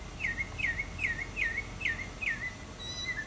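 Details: Northern mockingbird singing while preening among Florida native plants in 2005: a loud downslurred phrase, dropping then levelling, repeated six times about every 0.4 seconds, then a thin high whistle, over faint background hiss.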